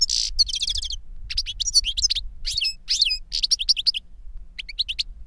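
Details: An older goldfinch teaches a younger one with a steady stream of bright, high twittering: a buzzy opening note, fast chirp trills and varied slurred notes without pause.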